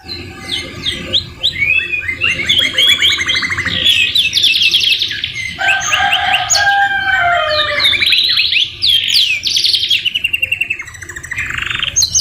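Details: Canary singing a tutoring song full of phrases copied from the white-rumped shama: a continuous, loud stream of rapid trills, buzzy rolls and sharp whistled notes, with a lower warbling passage near the middle and quick descending slurs.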